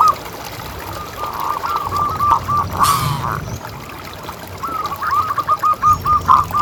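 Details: Zebra dove, local type said to call persistently with a big voice, playing to prompt other doves: a long run of soft stuttering coos, a brief noise burst midway, then a louder rolling phrase.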